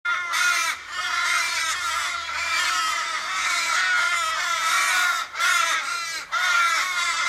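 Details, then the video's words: Australian ravens in a Kellyville street, Sydney, on 1 July 2012, fifteen or more circling a dying flock member struck by a car: harsh, drawn-out wailing caws from several birds overlapping continuously, with a brief voice. "Australian ravens mourning member's death"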